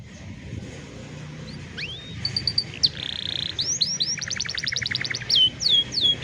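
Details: Canary song used for training young canaries, recorded on a cellphone: quiet start, then rising whistled sweeps, a fast ringing trill, and rapid repeated chipping notes in rhythmic bursts ending in looping whistles.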